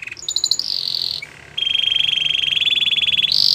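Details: Belgian canary song for training canaries: short chirps leading into loud sustained metallic trills, a brief dip, then a long rapid high trill with faint background hiss.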